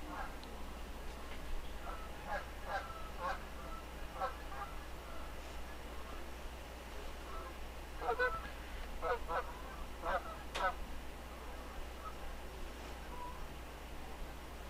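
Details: Several Canada geese flying over a field behind a home on April 1, 2014, giving loud, nasal honks in irregular bursts, some overlapping, over a steady low rumble of wind or distant engine noise.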